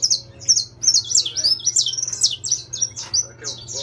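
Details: Saffron finch of intense yellow form singing: a rapid run of high, sweet chirps and short sliding whistles, closely packed and lively, with a steady low hum underneath.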